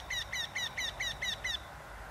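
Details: Eurasian wryneck giving a run of seven nasal, downslurred notes at an even quick pace, each note alike, ending abruptly against a low background hiss.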